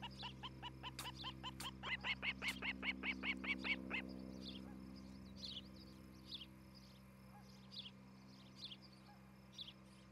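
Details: Morning nest-cam audio of an osprey at Charlo, Montana, July 2018: a rapid four-second run of bright repeated chirps, then quiet with a few faint distant calls over a low hum.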